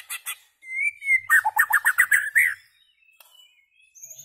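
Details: A single long level whistle from a white-rumped shama, then a rapid burst of about ten loud, rich chattering notes, followed by near silence with faint high notes.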